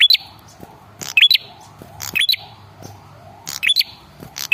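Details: Calling male red-headed prinia, played as a lure so other birds respond; bursts of bright chirps with short rising notes and crackling clicks, repeating about once a second over a soft hum.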